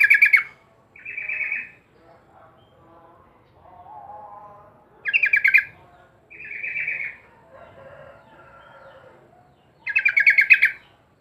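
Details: Yellow-vented bulbul repeating a short, rich bubbling phrase about every five seconds, each burst followed by a brief slurred chatter, with quieter warbling notes in the gaps and no other clear sounds.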